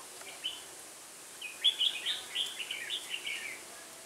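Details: Red-whiskered bulbul recorded while being trapped with a decoy bird on 1 October 2018 in Vietnam; a lively run of quick warbled whistles, rising and falling, lasting about two seconds over light hiss.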